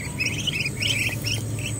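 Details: Muscovy ducks recorded in Temerloh, Pahang, Malaysia, giving bright high peeps in short bursts, partly overlapping, with a constant low rumble and faint hiss beneath.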